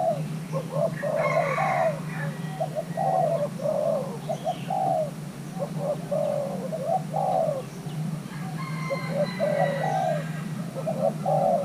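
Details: Young male Thai-cross spotted dove in pairing, stimulated to sing its calling style: a long run of low cooing phrases, short notes and longer slurred coos repeating, with scattered high chirps from other birds and background hum.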